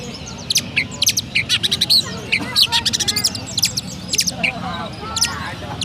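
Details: From Petarukan, Pemalang, Indonesia, a caged Oriental magpie-robin sings a sparrow-style medley: dense runs of piercing high chirps and short squeaks, irregularly spaced, with faint low noise throughout.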